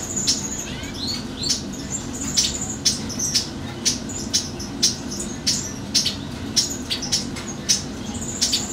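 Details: Lesser goldfinch (Spinus psaltria colombianus) gives thin, high chips about twice a second at an uneven pace, with sharp clicks and a low steady hum behind.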